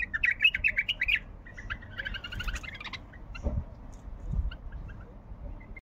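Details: Bulbul singing with varied phrases. A quick burst of rich warbled notes opens, followed by softer chattering phrases, then a mostly quiet stretch with a few faint notes and low bumps.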